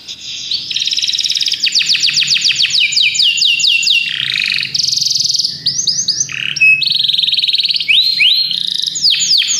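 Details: Belgian canaries in full song: varied phrases of rapid trills, sweeping descending whistles, buzzy rattles and clear notes, continuous and loud throughout.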